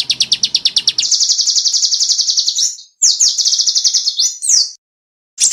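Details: Clear, sharp 'tembakan' song of a small bird, meant for tutoring contest songbirds: quick separate chips run into a dense, buzzy high trill, broken by short pauses and a few steep downward sweeps.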